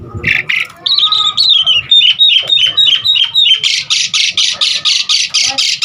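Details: Asian pied starling, lively and varied, in a recording used to lure and tutor starlings: a few rough notes, then a sweeping series of clear whistles descending step by step, ending in a rapid run of harsh rasps.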